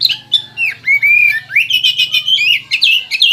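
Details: Song of a white-rumped shama from West Kalimantan: clear whistles sliding up and down, a sustained level whistle, then a rising sweep into fast, rich, buzzy warbling trills that continue to the end.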